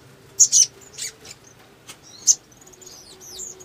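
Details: Sogon male calling as a lure to spur singing: a few loud sharp high chips, a buzzy note, then soft thin whistled slurs sliding up and down.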